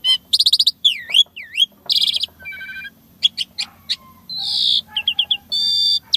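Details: Jalak suren song with varied copied sounds: rattling buzzes, looping V-shaped whistles, low level whistles, and a drawn-out harsh buzz, delivered in quick changing phrases.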